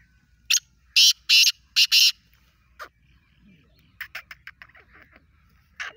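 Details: Desi kala teetar, a black francolin, gives a harsh, grating phrase: one short note, then four loud buzzy notes in quick rhythm. Fainter scattered notes and a low steady hum follow.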